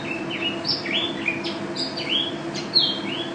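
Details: Mountain white-eye, a national first-place champion songbird, sings a gacor, ropel style song: a high warble of rapid sweeping and downslurred whistled notes, some rising sharply, over a steady low background hum.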